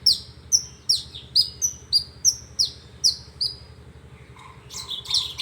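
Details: Horsfield's bush lark song of repeated high notes, each a sharp onset falling into a short trailing whistle, given at a steady rhythm, ending in a buzzier, harsher burst over a faint low hum.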